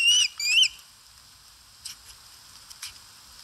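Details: Osprey at a nest in Satakunta, Finland, on 4 August 2022, calling while eating; caught by a live nest camera. Two quick whistled, upward-bending chirps open the clip, followed by faint clicks and rustles.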